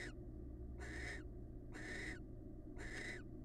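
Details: Wild barn owl pair in a bonding exchange. Rough, drawn-out hissing screeches, about four within a few seconds, each ending with a slight falling edge, over a low drone.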